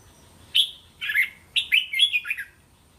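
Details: Red-whiskered bulbul song in the teasing 'sai to' style, used to train young caged bulbuls to sing back; four bright, slurred whistled notes, a lone note then a quick rising-falling run of three phrases.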